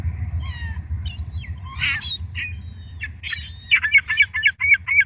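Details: Wild gulls at a pile of pizza and leftovers: scattered squawks, then a rapid series of about eight sharp repeated cries, roughly four per second, over low background hum.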